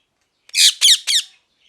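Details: Parrot giving three loud, harsh squawks in quick succession, each a short, buzzy, falling burst, with silence between them and nothing else audible.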